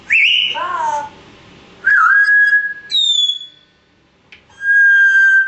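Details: A captive African grey parrot on holiday away from its owner, a talker and whistler that can bark like two dogs and laugh in five voices; clear whistled notes, a rising slur, then level and falling tones with pauses indoors.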